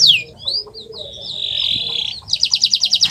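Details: Kenari Nusantara canary song played to prompt silent canaries: a falling whistle, a drawn-out warbling whistled note wavering in pitch, then a fast pulsing trill of sharp notes.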